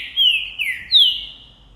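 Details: Green-winged saltator, a male singing strongly after seeing a female, recorded in January 2024: three loud, clear, slurred whistles, each sliding downward, the last starting highest and trailing off, sung to stimulate other birds to sing.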